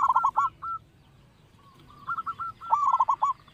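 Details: Zebra dove, local type with a big voice, sung to lure others: quick descending coo rolls at the start, a pause with faint notes, then a longer rippling run of rapid hooked coos.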